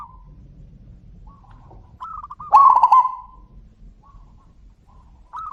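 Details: Zebra doves calling back and forth. Soft distant trilled coos are heard now and then, and one brief loud rolling phrase of quick notes stands out near the middle.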